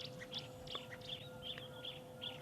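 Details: Distant Pearl-spotted owlet calling during a sunrise drive on 3 December 2016: a run of short, high whistled notes about every half second, over a low steady hum and faint background noise.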